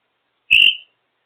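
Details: Female African grey parrot on top of her cage, making birdy noises: a single clear, high whistle lasting about a third of a second, slightly buzzy, trailing off, then silence.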